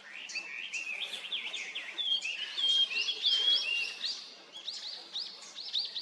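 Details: A wild Japanese grosbeak calls with a busy series of sharp, slurred whistled notes, quick upward and downward sweeps repeated almost twice a second, clear above a light background hiss.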